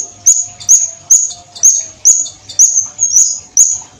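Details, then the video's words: Violet cuckoo gives sharp, very high notes that slur downward in a dense, clear run of about two per second, over a faint low hum. "Kedasih Ungu Gacor Full Tembakan Jernih"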